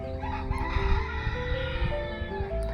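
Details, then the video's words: Chicken: a rooster's drawn-out crow rises and holds in stepped tones across the clip, from neighbours' many kept chickens near Kolkata during rain, over a steady low rumble of rain and household background noise. "আশেপাশের মানুষেরা অনেক মুরগি পুষেছেন, বেশ মুরগির ডাকও শোনা যাচ্ছে।"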